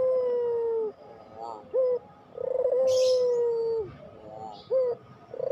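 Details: Puter pelung cooing loudly: a long drawn-out level coo, a short hooked note, then another long coo falling at the end, and a final short note. A thin high chirp is heard in the background.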